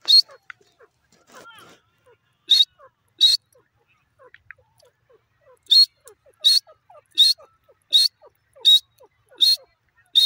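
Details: Female grey francolin (teetar) calling: loud, high, sharp notes repeated in paired bursts, roughly eighty a minute, with soft, faint downward chirps of other small birds in the background.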